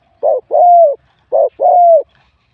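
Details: Competition spotted dove, wild-caught, with a medium-to-large singing voice. Two crisp phrases each pair a brief low coo with a longer, level then gently falling coo, in clean quiet surroundings.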